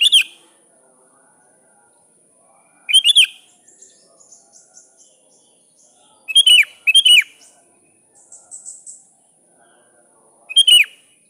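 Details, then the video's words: Rival-calling sooty-headed bulbul giving short liquid whistled phrases of two or three notes, repeated at irregular gaps of about three to four seconds, with soft twittering between and a steady high hiss. "Suara Burung kutilang gacor memanggil lawan"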